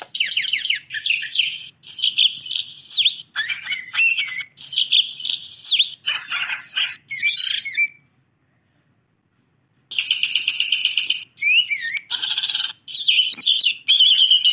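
A budgerigar chatters in fast, scratchy warbles and squeaky chirps, pausing briefly before resuming.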